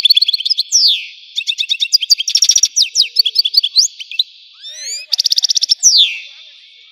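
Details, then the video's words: Algerian European goldfinch delivering lively song: rapid chirp series, descending slurred whistles, buzzy rattled bursts and quick rising notes, with a brief soft gap near the middle. "تغريد الحسون قمة الابداع ! حسون جزائري"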